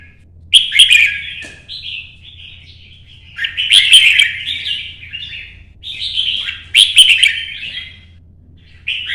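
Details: Red-whiskered bulbul singing competitively while moving along its perch, repeating loud, cheerful whistled phrases about every three seconds, each opening with sharp clicks and ending in a rolling warble; faint low hum beneath.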